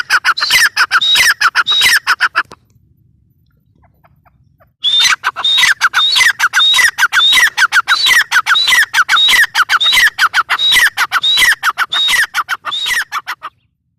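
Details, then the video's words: Grey francolin (teetar) calling: loud, harsh, rapidly repeated notes in a fast rhythmic series, broken by a silent pause of about two seconds before the calling resumes just as steadily. "Teetar ki awaz | teetar sound"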